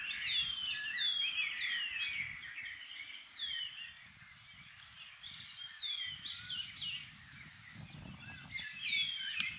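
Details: Multiple shining cuckoos in a tree near a home in New Zealand's Maungakotukutuku Valley, summer, calling back and forth; rapid series of high, down-slurred whistles from several birds overlapping, with a gentle low background hum.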